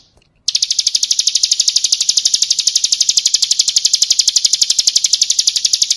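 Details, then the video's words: Ciblek kristal, the Bar-winged prinia, recorded as a full training song: after a short quiet start, a sustained, very regular high trill of crisp repeated notes continues for over five seconds. "Masteran Suara Burung Ciblek Kristal"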